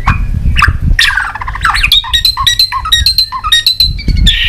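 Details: Tail-beating, clicking White-rumped shama on its perch, a sound used to fire up other shamas to sing: rapid harsh chattering notes running into short repeated high whistled notes over dull low thumps.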